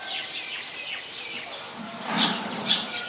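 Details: In a mangrove forest at the Sirinart Rajini centre, an olive-backed sunbird gives a run of thin, high, falling notes, then two sharper bright chips. Other faint sounds are heard below.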